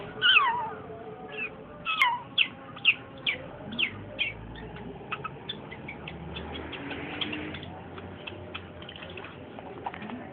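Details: Long-tailed shrike chattering: a run of sharp, harsh chirped notes roughly two per second, loudest over the first five seconds, then softer, denser twittering over a low steady hum.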